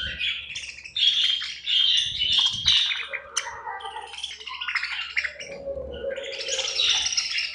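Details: Caged budgerigars chirping at feeding time, a busy flock chatter of rapid warbled twitters and sharp squeaky notes, with short harsh buzzy calls and faint wing or cage rustles.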